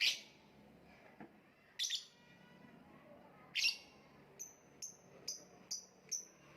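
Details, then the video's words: Lovebird giving sharp high chirps, a few loud harsh notes then a run of short clipped tweets about every half second near the end. "voice of lovebird / Lovebird kicau"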